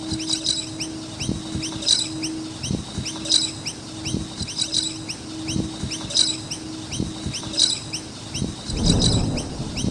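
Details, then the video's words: Chirping noisy miners at a skate park: rapid high curved notes from several birds, bright bursts roughly every one and a half seconds, over a low hum and knocks, ending with a broad rushing noise. "Noisy Miner Birds with Chirping Sounds"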